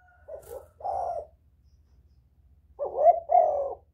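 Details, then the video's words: Spotted dove used to lure other doves: two soft coos, a silent gap of over a second, then two louder husky coos. Faint low hum in the background. "Tiếng chim cu gáy kích bổi mau nổi, cu gáy kích mồi hay"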